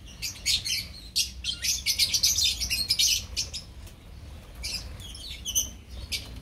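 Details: Lovebird colony of the opaline type: loud, rapid twittering and shrill chirps from many birds in the first half, then scattered sharper squeaks over a low rumble.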